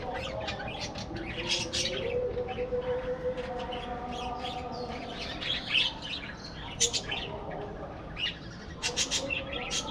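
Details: Colony of breeding budgies keeps up busy twittering: bright chirps and rapid warbling phrases overlap continuously, with some louder clustered chirps toward the end.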